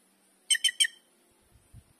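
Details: A White-naped jay that came in to feed in the Brazilian sertão gives three quick, harsh, grating notes in under half a second, followed by a couple of soft low thumps.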